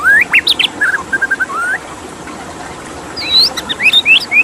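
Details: White-rumped shama song: rising whistles and a few level notes, a silent gap, then higher upswept whistles near the end, with steady water hiss behind.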